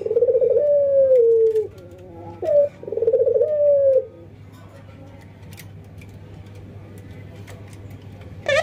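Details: A ringneck dove, from an albino white versus local pairing trained to stay vocal, gives two rolling, descending coos close together. Near-silence follows, with faint room noise and a brief sharp sound at the very end.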